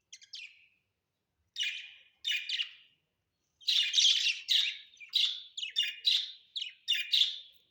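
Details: Budgerigars kept at home; loud raspy chirps, a few apart at first, then a steady rapid series of buzzy chattering notes.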